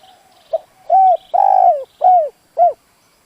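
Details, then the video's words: Decoy spotted dove calling to provoke and lure wild doves: one phrase of five mellow coos, a short soft note, two rounded coos, then a long drawn-out coo falling at its end, and two more rounded coos. "Tiếng chim cu gáy dùng kích bổi lâu nổi, bổi khó cỡ nào nghe là gáy"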